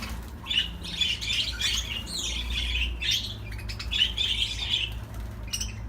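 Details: Budgie song made of quick, bubbly chirps and scratchy squeaks run together in short phrases, with a brief pause near the end, over a constant low droning hum.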